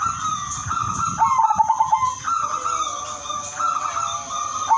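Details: Udanmas silver zebra dove song meant to draw in other zebra doves, with mellow cooing notes, one burst of rapid stuttered coos, then sustained level coos, heard over a constant thin electronic whine.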